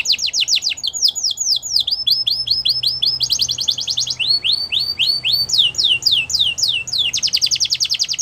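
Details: Champion canary song for training: continuous tours of rapid falling whistled notes, alternating fast dense trills with slower broader slurred phrases.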